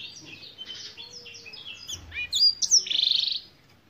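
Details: A black-throated canary (Crithagra atrogularis) sings a quick, varied run of high twittering notes, finishing in a fast buzzy trill, with nothing else heard.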